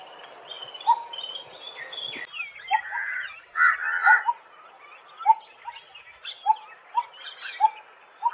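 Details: Coppersmith barbet calling with low, evenly pitched tuk notes that speed up toward the end, partly overlapped by louder, busier songs and chirps from other birds nearby.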